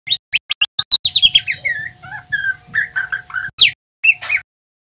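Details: Young male white-rumped shama in its spotted stage, twittering ngeriwik while learning to sing. A rapid series of short ticking notes runs into a descending whistle, then a string of mid-pitched slurred phrases and a final sharp upswept note.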